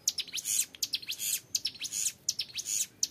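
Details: Ngebren song of a young Hill Prinia: short, very high, scratchy buzzing bursts with thin rising strokes, repeating rapidly, each lasting a fraction of a second, over a quiet background.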